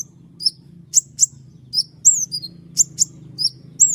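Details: A common iora sings sharp 'tembakan' song: shrill high downward-sweeping whistles and hard ticking notes in quick succession, sometimes paired, with a soft low background hum.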